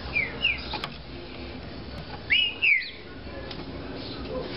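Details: Captive Green-winged saltator described as 'de fibra' giving two brief whistled bursts, each of two quick down-slurred notes, with a quiet gap between them and a faint constant hum behind.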